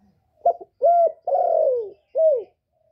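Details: Spotted dove in the 'giọng thổ' voice, cooing to excite male doves: a stuttered opening note, a steady mellow coo, a long downward-sliding coo and a short closing coo, clean and close.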